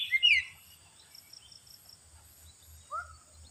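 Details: Oriental magpie-robin lure sound: a sharp, loud, whistled, squeaky burst at the start, then quiet with faint high chirps, and a single falling note near the end.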